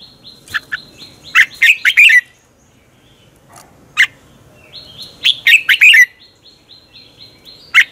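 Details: Red-whiskered bulbul giving morning competition song, used as a lure to train and stir other birds to sing: short bursts of quick, sharp, chirpy whistled notes in two phrases with a pause between, plus a few isolated notes.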